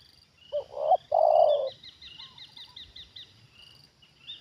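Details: Trained decoy spotted dove reacting as a wild bird comes down for the second time. One low cooing phrase: two short coos and then a longer, drawn-out croo. Other small birds chirp in quick high repeated notes afterward.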